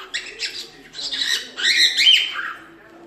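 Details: Cockatiel chattering during a lesson on teaching cockatiels to sing: a dense, scratchy warble of squeaks and buzzy notes building to a louder twittering phrase.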